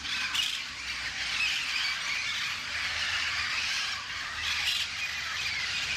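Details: A small wild flock of Yellow-headed Amazons, including a young member, playing at a roost at dawn gives a steady wash of harsh, overlapping squawks and screeches, with louder bursts near the start and end.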